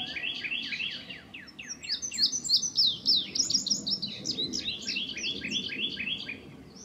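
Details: Song of an indigo bunting still in incomplete molt, which showed up this week: rapid high chirps building into a bright, tight run of sweet paired phrases, then slightly lower doubled notes.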